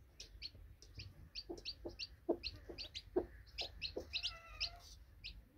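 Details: Baby chicks fresh from hatching beside a broody hen, a fast regular string of high, slightly falling peeps together with soft low clucks; one longer wavering peep stands out late on.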